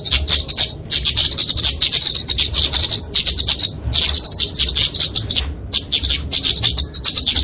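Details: Kemade, a small flowerpecker, giving its fighting song for training and luring songbirds: fast strings of thin, high-pitched ticks and twitters in bursts about a second long, separated by brief gaps.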